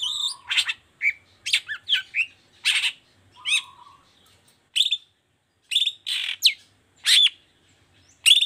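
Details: Long-tailed shrike in 'toet toet' song meant to provoke other shrikes to sing; irregular harsh chirps, buzzy slurs and sharp whistles separated by short silences, with a low humming buzz under some phrases.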